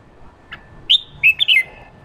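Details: Fired-up male red-whiskered bulbul giving the ché song style, meant to prompt wild-caught bulbuls to sing: a faint chip, then a loud, quick cluster of bright, slurred whistled notes falling from high to mid pitch.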